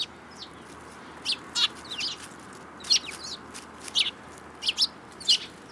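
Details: Several sparrows recorded in March 2018, giving short, sharp chirps in loose, irregular bursts, some doubled or tripled, over a steady low background hiss; no other clear sounds.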